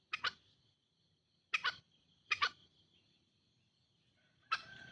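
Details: Lure recording of green junglefowl: four harsh, clipped calls, mostly doubled notes, spaced about a second apart, over a steady buzzing insect background.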